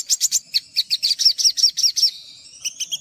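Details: High, sharp chirps from an olive-backed sunbird, repeated quickly for two seconds and then easing into a thin, rising whistle with a few soft closing notes, a recording for training untrained birds.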